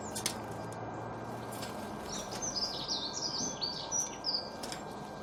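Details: Small songbirds twitter in a lively run of high, rapid chirps and short warbled notes through the second half, over a constant hum and a low rumbling background.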